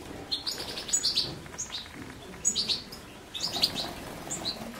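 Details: European goldfinch singing: rapid, bright twittering of short high chirps and trills in loose bursts, with brief pauses between phrases and faint background noise.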